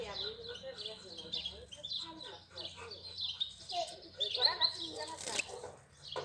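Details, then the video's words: April song of a European goldfinch: a dense, rapid twittering of mixed high and mid-pitched notes, jumbled and liquid, with a faint steady low hum underneath. "Cântec sticlele luna aprilie"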